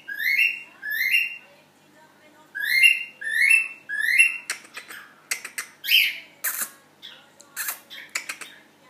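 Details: Cockatiel singing to its mate: a run of five repeated rising whistles, then a rapid jumble of sharp chirps, clicks and squeaky notes, indoors.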